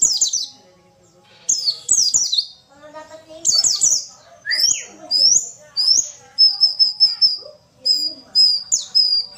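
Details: White-eye, a female calling to stir males into song; shrill twittering bursts separated by brief gaps, then a series of short, level, repeated high whistles, with soft lower chatter in the background.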